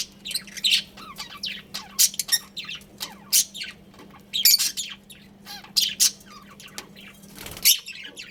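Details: Loud, shrill budgie chirps and scratchy squawks come in clustered bursts roughly every half second to second, against a faint steady hum.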